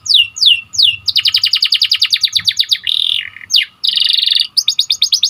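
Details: Training song of a white canary: a few downward-sweeping whistles open a rapid pulsed trill, followed by a harsh buzzy roll, a sharp slur and another fast chattering trill, very bright and clear.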